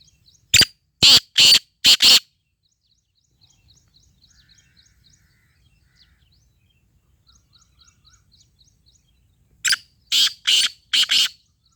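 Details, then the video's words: Sindhi teetar, the black francolin, repeating its harsh rasping phrase twice: four loud scratchy notes, a quiet stretch filled with soft high twittering of other birds, then another four-note grating burst. "sindhi teetar ki awaz"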